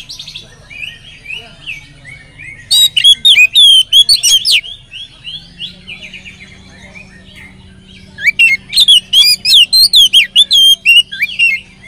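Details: Oriental magpie-robin in full song with a varied repertoire, played to lure other magpie-robins into singing; soft chattering notes, then two long bursts of loud, rapid, twisting whistles separated by quieter warbling.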